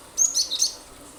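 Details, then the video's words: Cinereous tit (glatik batu) in lively 'nembak' song, meant to set other birds singing: a short cluster of three or four piercing, very high chirps run closely together, then a faint hiss. "pancingan ampuh glatik batu gacor nembak nembak pasti burung lain ikut bunyi"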